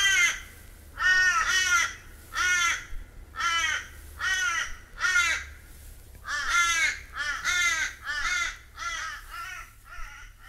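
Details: A crow in Australia gives a series of harsh, nasal caws about once a second, some doubled, each note ending in a falling, drawn-out tail, with no other sounds intruding.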